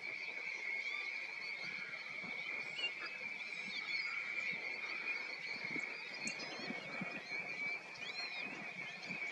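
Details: A wintering flock of European golden plovers in County Offaly, Ireland, in November 2020 gives a steady chorus of soft, plaintive whistles, with sharper rising and falling notes breaking through now and then.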